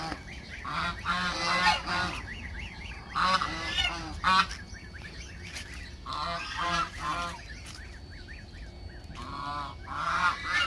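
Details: Backyard geese honking loudly in several harsh, nasal bursts spread through the clip, each burst made of quick repeated honks, with quieter gaps between groups.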